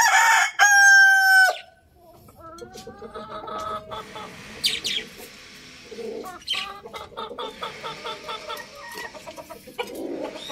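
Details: A rooster crows loudly for about one and a half seconds, a bright, strongly harmonic call that ends abruptly. Quieter clucking and mixed chicken calls continue for several seconds afterward.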